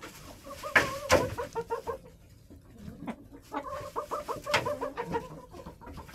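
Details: Hens in a cold backyard coop during January snow cluck in quick staccato series of short nasal notes, two loud sharp calls early on, pauses, then another rapid run of clucks.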